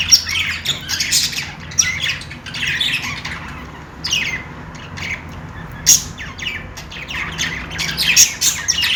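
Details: Budgerigars playing, giving dense bursts of harsh chirps and scratchy squawks in clusters separated by short pauses, with a steady low hum underneath.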